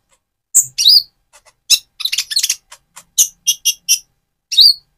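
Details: Spotted Van Hasselt's sunbird singing vigorously to rouse another sunbird; piercing high chips mixed with short buzzy twitters and a few ringing, evenly spaced notes near the end.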